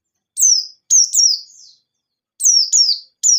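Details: White-eye singing in ngalas nembak style, played as a lure to prompt other white-eyes to sing. High whistled notes slide sharply downward in quick pairs, with a softer trailing note between groups.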